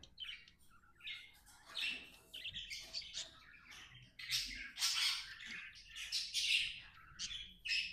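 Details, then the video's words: Happy budgerigar chirping: a continuous, busy stream of high, scratchy warbles and quick twitters that grows louder and denser toward the end, with almost no low sound behind it. "Happy budgie chirping sounds"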